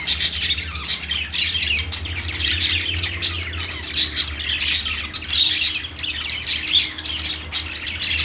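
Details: Pet-store parakeets calling together: overlapping shrill chirps and harsh squawks pour out without pause over a constant low mechanical drone.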